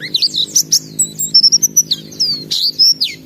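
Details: White-eye singing a varied medley of high whistled and slurred notes, some rising, some falling, with short pure whistles between chirps; low hum in the background.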